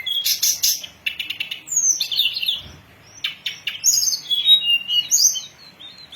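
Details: Hill blue flycatcher singing on a lure recording for catching and training birds: rapid high chattering bursts, then clear descending whistles and short sweet phrases separated by brief pauses.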